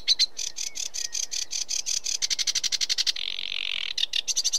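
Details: A sedge warbler sings a fast, scratchy chatter: dry ticking notes speed up into a rattling run, break into a harsh buzzy churr, then resume clipped repeated notes.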